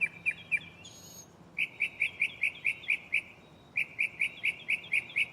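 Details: Close mockingbird singing in a tree at night, repeating a crisp chirped note rapidly in two runs of about ten notes each, with a brief scratchy note between them.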